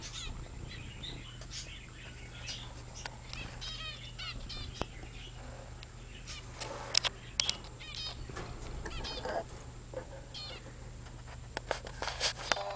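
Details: Young zebra finches, now grown, giving scattered short nasal calls with stacked harmonics, spaced irregularly between wing flutters, clicks and rustling indoors, with a steady low electrical hum underneath.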